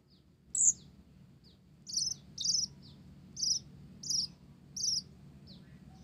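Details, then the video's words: Singing olive-backed sunbird with Java sparrow material: a string of short, buzzy high notes about every half second, with a few thin chips between, over a low hum. "Konin Blorok Gacor isian Gelatik"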